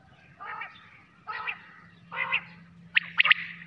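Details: Quail at night: three buzzy notes about a second apart, then a quick, sharper triple-pulsed note, over a low steady hum.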